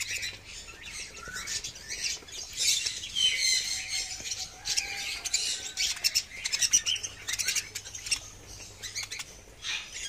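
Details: Budgerigars offered for sale as "helicopter budgies" chatter busily, a dense mix of high squawks, chirps and scratchy warbles with wing flutters.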